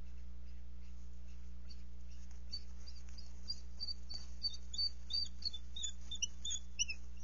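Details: Bald eagles at the NCTC nest during mating on February 12, 2023, while on egg watch. Thin high chirping and piping notes build in the second half, above a loud steady electrical hum.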